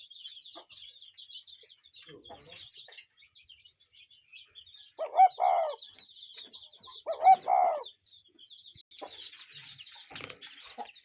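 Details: Cuckoo in nature giving two-note calls, one pair repeated about two seconds after the other. Continuous high chirping and ticking runs underneath, with a few sharp clicks.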